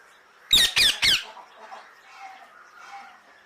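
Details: Three loud, rasping parrot squawks in rapid series, each harsh and noisy, followed by quieter low chattering notes in the background.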